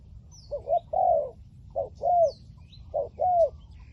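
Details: Spotted dove of the 'liu tan' voice style, a decoy bird used to lure wild doves for trapping, giving three paired coos, each a short note followed by a longer descending coo, with faint high chirps from other birds.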